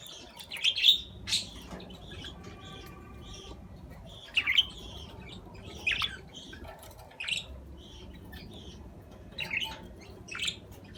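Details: Budgerigar giving scattered chirps and scratchy squawks, in short bursts separated by pauses of one to two seconds.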